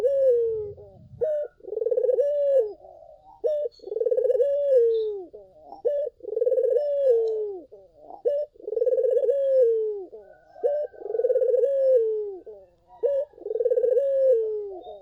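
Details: Barbary dove (puter) singing actively, played as a lure so other doves answer: low, rolling coos that swell then slide downward, each phrase opening with a short hoarse note, repeated about every two to three seconds; faint high chirps from another bird.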